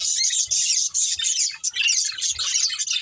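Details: Budgerigars from a breeding pair giving loud, fast high twittering in pulsing bursts roughly every half second, with soft low taps.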